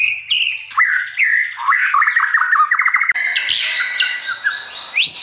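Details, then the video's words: White-rumped shama song for training: a busy chatter of mixed notes and fast rattling bursts, switching abruptly to higher sustained whistled phrases and a final rising sweep. "MACAM-MACAM SUARA BURUNG MURAI BATU GACOR UNTUK MASTERAN"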